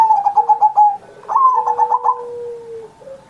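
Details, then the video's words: Kept zebra dove in song, used as a master to teach other doves: a string of even, rapid coos followed by a longer rolling phrase, with a faint whistled tone running beneath. "Perkutut Masteran Manggung Gacor Mancing Burung Lain"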